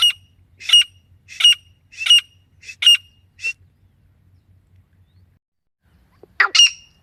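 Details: Hen grey francolin, a sound used by hunters as a lure: six harsh squawking notes about a second apart fading off, a long silence, then one louder rasping double note.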